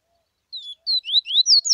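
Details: Bahia seedeater singing a tuíca song from Bahia: a falling whistle followed by quick rising and falling slurred notes that climb higher toward a sharp final note, clean quiet background.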